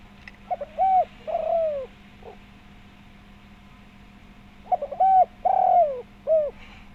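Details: Spotted dove, or tekukur, with a full, rounded voice, played as a lure so other doves answer. Two cooing phrases about four seconds apart. Each has clipped lead-in notes, a long descending coo and a short arched ending, with a faint hum behind.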